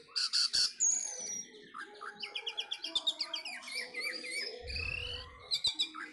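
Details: Orange-headed thrush, a pet bird about to enter a song contest, pouring out a varied rich song of rapid warbled phrases, whistles and chips at shifting pitches, with a low hum behind.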